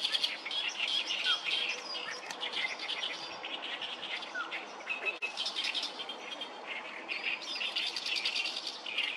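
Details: Oriental reed warblers, many calling noisily, on the Sawatari River on 7 June 2024: a harsh, chattering song of grating and squeaky notes, nearly unbroken for nine seconds, with faint other bird chirps behind.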